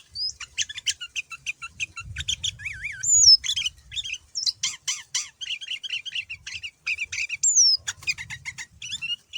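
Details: Male sooty-headed bulbul in full persistent song rich in learned phrases, offered as a lure to draw other bulbuls to answer: dense, varied high chattering with quick slurred whistles, wavering warbles and sharp rising upslurs, nearly continuous with short gaps.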